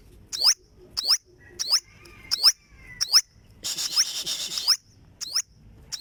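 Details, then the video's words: Olive-backed sunbird singing sharp, high, sweeping notes, about one every two-thirds of a second, broken once by a brief buzzy trill. "Olive Backed Sunbird Singing - Suara Burung Madu Sriganti"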